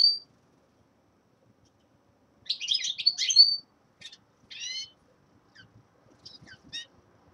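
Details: Young male common linnet in winter giving a short twittering phrase, then spaced clusters of brief chirps and soft notes with long silent gaps.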